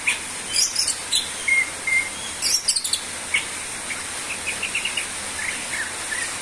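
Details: Greater green leafbird in active song: clipped whistles and quick chirps, then a rapid run of short repeated notes near the end, set against constant high-pitched background hiss.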